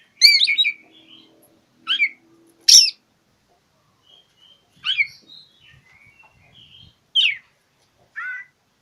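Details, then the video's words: Oriental magpie-robin in challenging song aimed at a rival: scratchy chattered bursts and sharp slurred whistles spaced a second or two apart, joined by faint thin level whistles, with a low hum early on. "Kicau KACER cari LAWAN"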